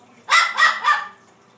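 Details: Blue-fronted amazon gives three quick, harsh bark-like bursts, mimicking a small dog.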